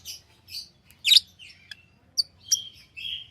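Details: Tame pet lovebirds give softer, varied chirps: thin squeaks, one louder raspy chirp, and a drawn-out whistled note near the end, over a steady low hum.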